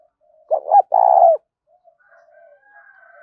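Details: Lure call of a spotted dove meant to pull wild doves in over farmland: a pair of quick rounded coos followed by a drawn-out vibrating note, then faint soft murmurs and the start of another phrase.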